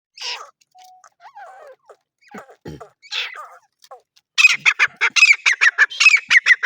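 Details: Grey francolin calling: after scattered soft chattering notes, a loud run of harsh, rapid, evenly repeated squawking syllables begins midway and carries on to the end.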